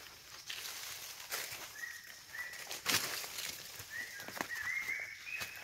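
Short, clear whistled bird notes repeat at a steady pitch amid rustling forest sounds.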